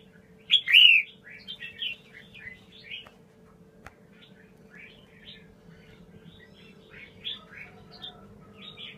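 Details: Red-whiskered bulbul of the 'mơ' form singing in the double-voice style (giọng kép): a loud, bright whistled opening note, then a run of short chirpy, warbled phrases at mid-high pitch, with a steady low electrical hum underneath.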